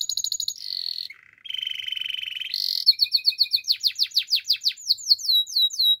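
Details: Belgian canary singing, played for training young canaries: rapid high trills, a buzzy sustained rattle, a brief pause, then a long series of quick descending whistled notes repeated several times a second.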